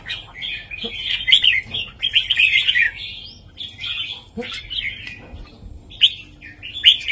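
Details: Red-whiskered bulbul singing a southern-style master song, used to teach young birds and excite listening birds: dense, bubbly warbled phrases in bursts of about a second, with short gaps and sharp chirped notes between them.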